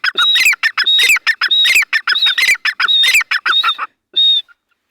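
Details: Wild grey francolin moving freely in forest in breeding season: loud, grating squawks in tight repeated phrases, each topped by a thin whistled note, about ninety per minute, ending with one isolated whistle-like call.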